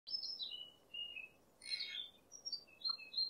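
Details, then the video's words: White eagle (burung raja wali putih): thin, high whistles slurring downward, broken by one harsh, rasping squeal, over faint background hiss. "BURUNG RAJA WALI PUTIH"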